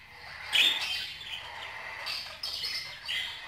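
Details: Scratchy chirping from budgerigars, one sharp squawk early on, then a running blend of softer, raspy warbles and chirps.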